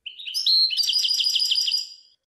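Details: Goldfinch singing a rising nasal note, then a rapid series of tinkling repeated chirps and trills, high and bright, about two seconds of continuous song.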